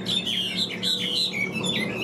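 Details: Caged Chinese hwamei, a large, well-built bird kept as a songbird, singing high: clear whistled notes that slur downward, repeated about every half second in quick succession over a faint steady low hum indoors.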